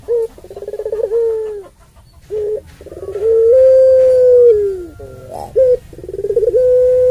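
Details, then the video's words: A puter pelung dove's extended coo, played to stir up rival doves and serve as a model for them. Pulsed hoarse openings lead into a long, slightly rising then sinking tone, with a brief higher squeak between phrases. "Puter Pelung Suara Panjang Ini"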